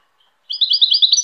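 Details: Brief burst of rapid, high, liquid twittering from a goldfinch, notes jumbled closely together in a single rising run.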